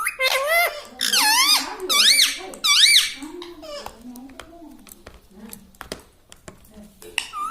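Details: Pet parrot kept indoors in a small room, talking: a run of loud, squeaky, speech-like phrases that rise and fall sharply in the first three seconds, then quieter chatter with scattered clicks and taps.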